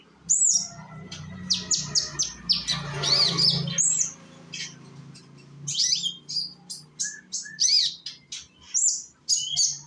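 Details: Young sunbird from Indonesia singing as a lure for other sunbirds to join in: rapid high chirps and short descending slurred notes in bursts, with a noisy rustle around three seconds.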